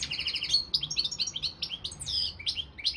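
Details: Balcanica European goldfinch singing in a world championship song contest organised from Serbia. Fast tinkling twitter of short chirps and trilled notes, with bright high whistled accents and a steady lively rhythm.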